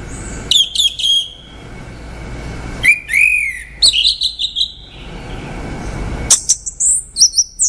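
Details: Orange-headed thrush singing quick high chirps, a pair of rising-falling whistles, a buzzy descending phrase, then a lively burst of very high squeaky notes.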